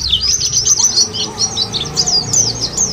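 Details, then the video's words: Bright, very high, rapid chirping warbles of white-eyes, used as a singing lure, flow without a break in a short, dense burst. "puter ini jangankan pleci burung lain aja pada gacor"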